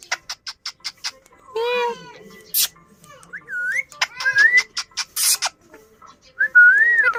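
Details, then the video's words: Talking pet parrot imitating meowing: a fast run of dry clicks, then a long harmonic meow, a sharp burst, and several whistled rising and wavering notes mixed with more clicking. "Mera Tota katna acha bolta hy Funny parrot"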